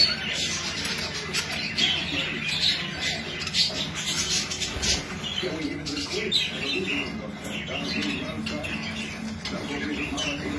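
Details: Flock of English budgerigars bred European style, with continuous high chattering, squawky notes and scratchy warbles overlapping throughout, and some low background voices and faint music.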